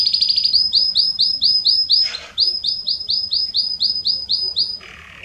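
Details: Belgian canary singing loudly to stimulate other canaries: repeated upward-sliding whistled notes at a brisk even pace, broken once by a rough noisy burst, ending on a lower, softer buzzing phrase.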